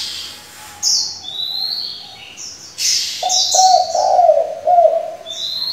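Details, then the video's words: Decoy spotted dove switching voices continuously, used for luring wild doves and training young ones; soft hollow coos in a short, pulsing series near the end, with loud high rising whistles from other birds before and between. "Cu gáy đảo giọng liên tục, kích bổi hay, luyện CU non chuẩn!"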